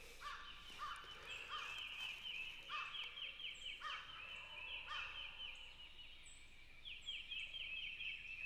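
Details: A wild turkey gobbler on its roost limb gives rapid, rattling, descending gobbles, some loud and some softer, over steady rain hiss. Recorded early morning on opening day of turkey season on a farm in Mississippi.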